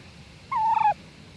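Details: Female turkey alarm calling at a neighbour at 7 am on a Sunday morning: a single clear whistled note, held level for about half a second and then dropping sharply at the end, over quiet background hiss.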